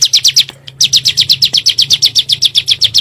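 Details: Bar-winged prinia (ciblek gunung) on a lure recording to provoke birds: quick high slurred notes, about four per second, with a brief break early on.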